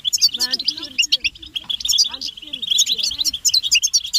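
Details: European goldfinches twittering together, offered as mating and readiness calls to make a male sing; fast, high, glittering chirps dominate, with some lower, curving, voice-like sounds underneath in the first half.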